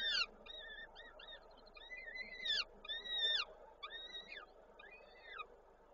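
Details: Peregrine falcon nest, Koszalin, Poland, 13 May 2022, with the young being fed on freshly delivered prey. A regular series of arched, drawn-out whining calls with a sharp peak, over a low background hum.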